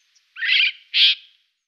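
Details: Siberian jay from Norway producing a rough, hissing screech followed at once by a shorter, purer harsh note, both loud and close.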